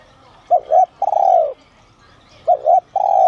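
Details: Spotted dove with a 'son' voice style, calling to lure wild doves: two phrases, each a quick double coo followed by a long, mellow, slightly falling coo. Faint chirps sound in the background.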